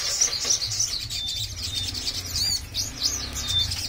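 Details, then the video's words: A sogon, tested alone to see whether it dares sing, gives only high, thin chirps and short twitters in quick scattered bursts, coarse twittering rather than full song, with a faint low rumble underneath. "Tes mental sogon berani gacor apa griwik saja"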